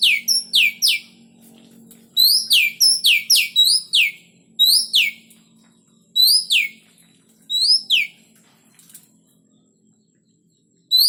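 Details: Oriental magpie-robins in breeding cages during pairing; bursts of three to six quick, high downslurred whistled notes separated by pauses of one to two seconds, with a faint steady low hum behind.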